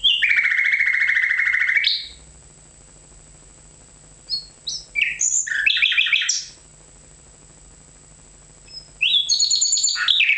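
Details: Nightingale song in loud bursts: a rich rattling phrase lasting two seconds, a silence, a jumble of varied chirps and sharp notes, another pause, then a high, sweeping phrase at the end.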